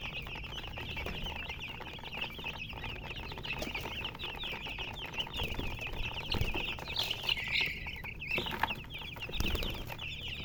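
A crowd of chicks peeps nonstop: high, thin cheeps overlapping in a steady chatter, with some soft rustling and wing flutters underneath.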